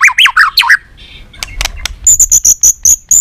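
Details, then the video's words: White-rumped shama song for stimulating other shamas; a few looping whistled phrases, a brief quiet stretch with scattered ticks, then a steady series of thin, high repeated notes. "Kích Chòe lửa hót nhiều giọng"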